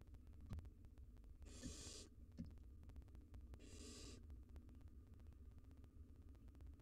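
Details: Three wild barn owl nestlings balancing at a nest box entrance; two harsh, broadband hissing bursts, each about half a second long and separated by roughly two seconds, over a steady low hum.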